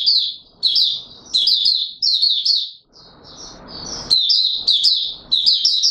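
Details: Courting Oriental white-eye, locally called Mata Puteh Raja, on 25 January 2022: a string of short, high, chattering warbled bursts repeated roughly every two-thirds of a second, a brief lull midway, then quick phrases resume.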